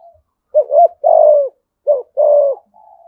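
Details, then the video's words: Thổ-voiced spotted dove from Đồng Nai giving rapid thúc gù coos: two pairs of a brief rising hoot then a longer steady, slightly falling coo, ending with a soft trailing murmur. "Chim cu gáy thúc gù giọng thổ bài bản nhất Đồng Nai"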